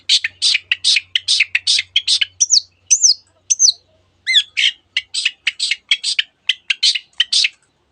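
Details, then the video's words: Long-tailed shrike song mimicking canary and various other birds: evenly repeated harsh chattering notes, interrupted midway by a few slurred, rising-and-falling whistles, then the chattering returns. "cendet gacor nembak nembak rapat isian kenari dan banyak jenis burung yang masuk masteran"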